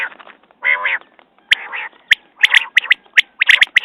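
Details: A quail gives harsh nasal bursts, then a run of crisp, clicking notes that grows quicker and denser toward the end.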